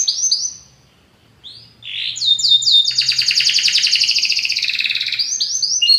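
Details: A Belgian canary sings powerfully: a few clear whistles, a short pause, then quick descending notes leading into a long rapid buzzing trill, ending with high whistled phrases.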